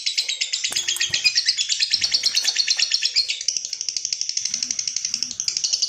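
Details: Lovebird giving a long 'ngekek panjang' trill, used to provoke and train other lovebirds: a continuous, fast, rattling, high-pitched chatter of evenly pulsed notes, about three per second, held unbroken for six seconds, with a faint click early on.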